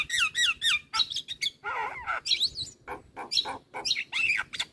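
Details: Javan myna in loud varied song used as therapy playback for stressed mynas: repeated descending whistled slurs, then grating squawks and warbled buzzy phrases in rapid bursts.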